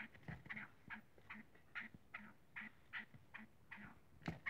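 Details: Black francolin at play gives short, rasping, mid-pitched notes repeated about twice a second in an even series, with soft low knocks and light handling noise beneath.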